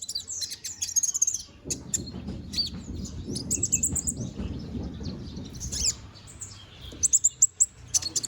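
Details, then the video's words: Bald brown-throated sunbird growing new feathers sings in fast, scratchy chirps and high thin whistles, starting and ending in busy bursts with a quieter rustling stretch between. "BURUNG KONIN BOTAK GACORR NGOBRA!"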